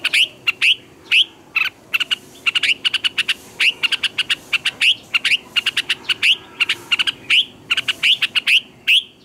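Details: Red-whiskered bulbul singing a decoy song for training other bulbuls. Rising whistled notes repeat steadily about every second, each with quick staccato chirps between them, over a quiet background.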